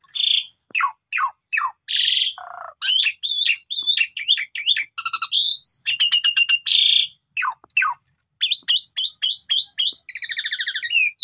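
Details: Continuous varied song of an Asian pied starling meant as a lure for training, mixing sharp descending whistles, harsh noisy bursts, rapid trills and rattles, with no other sounds.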